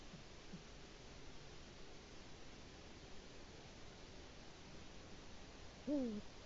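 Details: Male Eurasian eagle-owl on its nest in Latvia, filmed by a live camera at about 6:22 am in March 2018, calling for its mate: a long quiet stretch, then a single deep, sinking hoot.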